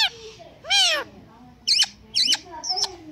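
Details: Talking and dancing Indian green ringneck parakeet. One loud, arched squeaky syllable is followed by three short, sharp high notes, with quiet pauses between them.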